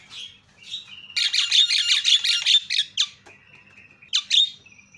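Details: Javan myna calls used to provoke other mynas into calling loudly: a dense run of harsh, squawky, buzzing notes in the middle, with scattered rasping chirps before and after and a faint low hum underneath.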